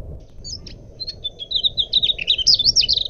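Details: A clear Mugimaki flycatcher song used as a lure and training recording for songbirds: a few thin high notes, then a fast, jumbled run of twittering, warbling phrases, with a low rumble underneath.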